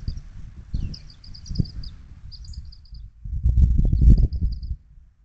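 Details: Bald eagles at their nest, the two parents feeding triplet chicks, recorded 10/04/2024: rapid runs of high, thin staccato chitter notes in bursts, followed by heavy low rustling and thumping from the nest.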